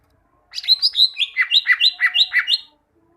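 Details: Greater green leafbird (cucak ijo) song used as a master recording to train caged birds to sing: a rapid run of about ten bright, slurred notes jumping between high and mid pitch, roughly two seconds long, in a quiet setting.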